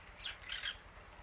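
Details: Female Rose-ringed (Indian ringneck) parakeet outdoors among many birds, eating grass, gives two quick, harsh, raspy squawks about a third of a second apart over a low background rumble.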